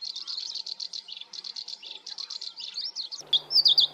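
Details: Black-browed reed warbler singing in a cage-bird training compilation: a steady stream of short buzzy chirps repeated about four per second, then a sharp cut to a few louder, squeaky whistled notes.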